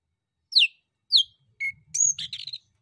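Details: Male orange-headed thrush song intended to provoke answers from other birds: two clear, downward-sweeping whistles, then a short note and a rapid, buzzy twittering flourish. A faint low hum sits underneath.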